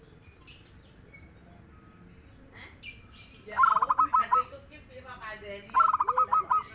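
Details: Local zebra dove singing actively and mellowly: after a stretch of scattered chirps from other birds, two stuttering phrases of soft, low, bubbling coos follow about two seconds apart, each ending in longer notes.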